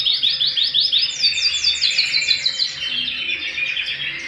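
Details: Canary singing at home: rapid repeated trill phrases of high descending notes, one series then a higher faster series, continuing with a rolling warble.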